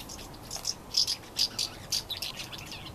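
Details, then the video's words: House martins recorded in 2017 give short, high twittering chirps, about eight bright notes scattered across three seconds in irregular bursts over a faint background hiss. "House Martins"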